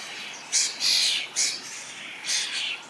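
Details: Starling fledglings begging from a parent among berries utter loud, scratchy wheezing calls, four rasping bursts of varying length over a few seconds.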